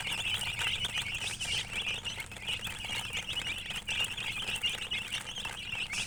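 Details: A group of chicks keeps up a continuous, shrill peeping, with rapid short notes tumbling over one another across the whole stretch and a low hum behind.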